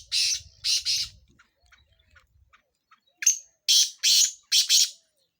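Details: Sindhi black francolin, or kala tetar, giving chakree training calls: two scratchy high notes, a quiet gap with faint low rumble, then a harsh ringing phrase of four rasping notes.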